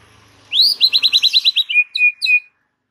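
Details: White-rumped shama song used as a training recording to get a silent bird singing: a rising note, then a fast loud series of about nine repeated clipped notes, ending in three clear level whistles.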